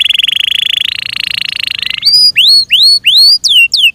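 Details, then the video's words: Caged Yorkshire canary song, a steady buzzy rattling trill for two seconds followed by loud rising-then-falling whistled notes repeated in quick succession. "THE BEAUTIFUL SOUND OF FI YORKSHIRE CANARIES"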